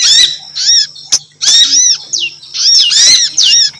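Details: Female prinia call used as a lure: loud, nasal, arched notes with strong overtones, given in bursts, with a few sharp clicks and a low steady hum behind.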